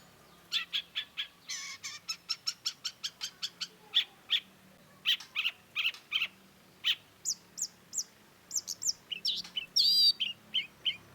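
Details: Long-tailed shrike delivering a long run of quick, dry ticking notes, then scattered high whistles and chattering phrases toward the end, each element short and crisp.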